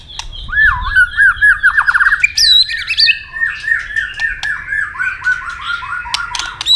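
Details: Fighting song of a White-rumped shama, given to provoke a rival: a long run of repeated looping whistled notes at mid pitch, a sudden high sweeping phrase, then more rolling whistles fading lower.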